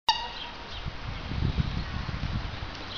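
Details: A whooper swan named Luise at Tierpark Berlin, greeting its keeper, gives one brief, bright trumpeting note that fades quickly, followed by low rumbling wind or handling noise.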